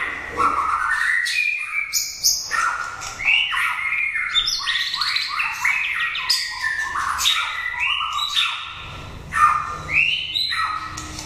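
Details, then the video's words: Caged competition white-rumped shama, a prize winner in an 80-cage contest, in a rousing song: a dense, fast run of varied whistles, sweeps and sharp chirps, phrases tumbling over one another with brief pauses. "Kích chòe lửa hót cực hay"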